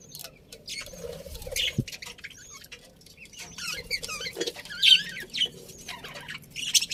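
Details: Contented budgies warble and chirp in a colony, with wavering squeaky notes and fast twittering phrases that overlap, growing busier toward the end.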